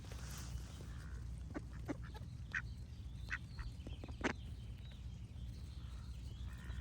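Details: Ducks giving a few short, harsh quacks in a brief scattered series over a steady low rumble, with faint bird song in the background.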